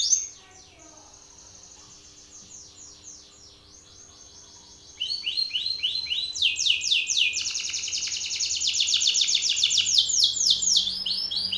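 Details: Belgian canary male calling out a rival: soft distant trills for several seconds, then loud, fast, rapidly repeated descending whistled rolls, with a faint low hum.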